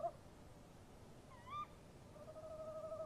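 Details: Tawny owls at a nest box, a male and female answering each other at night in March 2015. One short, sharp call with a rising hook stands alone, then a soft, wavering hooted trill begins, over a low background hiss.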